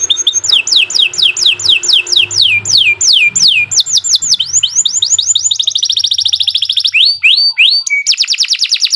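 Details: Gacor canary song meant for tutoring and stimulating other canaries: a long series of loud descending whistled sweeps repeated about three per second, flowing into denser high trills and sharp chirps, with a faint low hum underneath.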